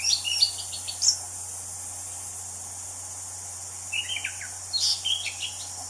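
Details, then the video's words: Orange-headed thrush in the wild: a quick burst of high twittering notes, a pause of about three seconds, then a lower warbled run. A continuous high insect buzz fills the background. "Kicau Anis Cendana Alam Liar"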